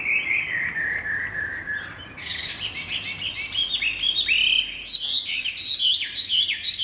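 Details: Loud, varied song of a Chinese hwamei, a big-bodied bird with bright white wing feathers noted for its fine voice: a steady whistled opening, then rapid bright upslurred and downslurred notes, about two each second.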